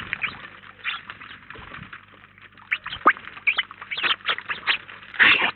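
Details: House sparrow flock, about nineteen birds, feeding at a feeder in Collado Villalba, Spain; soft chattering builds into clearer chirps, with a loud cluster of calls at the very end.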